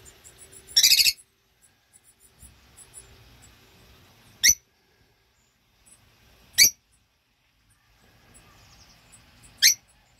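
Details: Rosy-faced lovebird pair with their four 8-week-old youngsters, 2024: an opening burst of fast harsh chatter, then single sharp, shrill shrieks spaced two to three seconds apart over faint soft twittering and low rustling.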